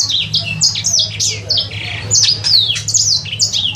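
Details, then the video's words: A sanger bird in care for three months, still learning to sing, gives a quick run of shrill descending whistles and short buzzy slurs, nearly continuous for four seconds, with a faint low droning hum behind. "Burung sanger..belajar bunyi..."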